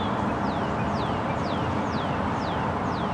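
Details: Northern Cardinal singing noisily from a tree by an apartment in Toronto in March, during an early-spring cold snap: six clear, downslurred whistles, about two per second, faint over a steady low traffic rumble.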